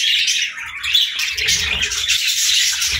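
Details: Budgerigars at their morning feed give a loud continuous wash of chirps and warbles, with faint low rumbling beneath.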